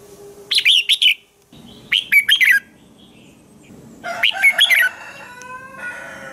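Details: Red-whiskered bulbul morning song for coaching other bulbuls: three brisk whistled, warbling phrases about two seconds apart, the last followed by faint thin tonal notes and a soft background hum.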